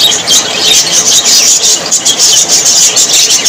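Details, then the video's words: Continuous budgie chatter from happy Australian parrots: bright, shrill chirps and warbles overlapping densely, with rapid stuttering pulses throughout. "Australian parrots voice ☺️ Parrots very happy 😊"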